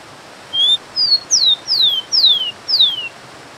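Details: Rufous-collared sparrow with clear whistled song: flat first note, short accent, then four long downward-gliding whistles repeated at an even pace, set against a soft hiss.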